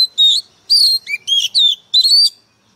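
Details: White-rumped shama singing five loud, rich whistled phrases in under three seconds. Some notes slide downward and others rise, separated by short pauses, against a silent background.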